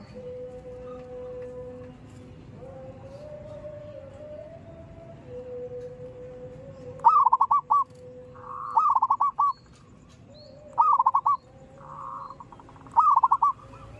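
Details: Zebra dove calling on a morning: four short bursts of fast, stuttering coo notes, each about half a second long and roughly two seconds apart, over a low steady hum and quieter cooing doves.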